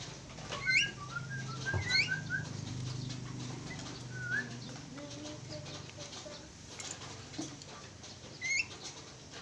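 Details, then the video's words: A pair of Javan mynas calling in quick clusters of short whistled and slurred notes, quieter single notes following, over a constant low background hum. "sepasang burung jalak kebo"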